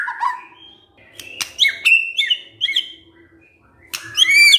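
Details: White-rumped shama kretekan meant to stir up emotion. Low warbled notes lead into sharp cracks and short, ringing, level whistles, ending with a loud, harmonically rich note.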